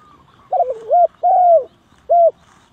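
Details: Spotted dove call played as a lure for trapping: clear, low cooing notes in a short phrase, a wavering first coo followed by two steady hooting coos and a final separate coo, on a quiet background.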